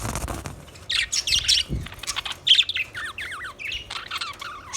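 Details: Budgerigars chirping: a busy run of warbled, squawky notes with rapid zigzag up-and-down pitch glides, bursts packed close together, after a brief low thump at the start.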